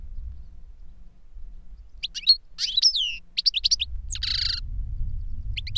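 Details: An older goldfinch sings as a lesson for a young bird. After silence come clipped twitters and quick up-and-down slurs, then a brief nasal buzz and a final chirp, with low hum beneath.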